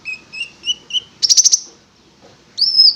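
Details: Konin (prinia) giving four rising whistled notes, a quick buzzy rattle, silence, then one long bright whistled note.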